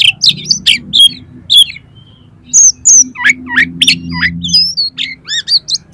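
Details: Oriental magpie-robin in energetic song for training competition birds, with quick sharp whistled notes and sliding chirps, a brief pause, then a dense run of varied falling and rising whistles.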